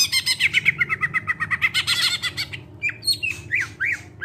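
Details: Greater green leafbird song used as a lure to get other birds singing: rapid buzzy chattering notes repeated about four times a second, then separate rising and falling whistled slurs. A low steady hum runs underneath.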